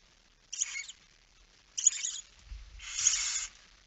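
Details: Barn owl at the nest at feeding time, night of 10 September 2019, 22:45: three quieter, rougher hissing bursts, the last longer and accompanied by low bumping sounds.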